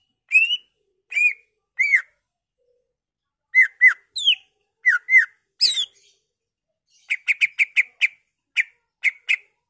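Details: Greater green leafbird song used as a lure to stimulate other leafbirds to sing, full of mimicked fill-in phrases: clear whistled down-slurred notes in pairs and small groups, then a quick run of sharp repeated chips near the end.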